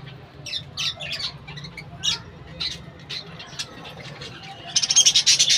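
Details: Colony budgerigars in a bird house give scattered short, scratchy chirps, building to a fast, harsh chattering burst at the end.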